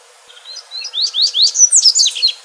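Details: Wild double-collared seedeater in a crystalline song for training young birds and encouraging singing. Soft high notes open the phrase, then a rapid series of rising, whistled sweeps builds into a dense, bright twittering flourish.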